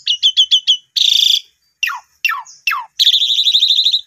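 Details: Asian pied starling song used as a lure for a newly bought bird: five quick clipped whistles, a harsh buzz, three steep falling notes, then a long grating rattle.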